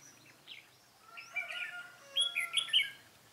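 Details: Fighting song of a red-whiskered bulbul used as a decoy in trapping, 13 March 2017; a soft note, then loud, liquid warbled phrases with sharp whistles rising to a strong closing flourish.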